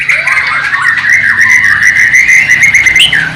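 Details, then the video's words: Bornean white-rumped shama kept captive in East Kalimantan, tutored with sikatan londo and nightingale song: one drawn-out, wavering whistled note held steady for about three seconds, ending in a short upward flick. "MURAI BATU BORNEO ISIAN " SIKATAN LONDO / NIGHTINGALE ""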